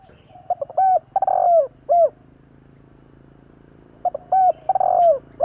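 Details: Spotted dove repeating its cooing phrase twice about three seconds apart. Each phrase has clipped opening notes, a hoot, a long buzzy falling coo and a closing hoot, over a steady low hum. Played to rouse decoy doves.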